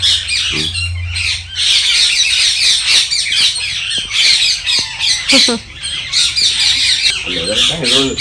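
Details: Parrots in a garden in the morning, loud and noisy: harsh, high, grating squawks repeated almost without pause, with a woman speaking in Tamil in between.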